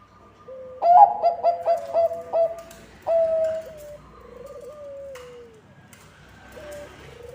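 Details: Bangkok-type zebra dove song, used as a lure for other zebra doves: a quick run of about seven clipped, bubbling coos, then a short pause and several drawn-out, gently falling whistled notes fading off.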